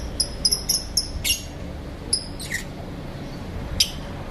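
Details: Morning chirping from several differently coloured lovebirds kept in an aviary: a rapid run of thin, piercing high notes, then scattered single shrill chirps and short raspy bursts against a low, constant hum.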